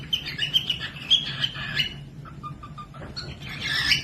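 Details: Cockatiel chirping for training other birds to sing: quick repeated high chirps, then a row of soft short even notes, ending in a louder noisy chattering burst, over low hum.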